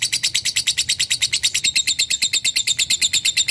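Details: Lovebird in long ngekek chatter: a continuous, rhythmic string of sharp, high chips, roughly eight or nine a second, without pause.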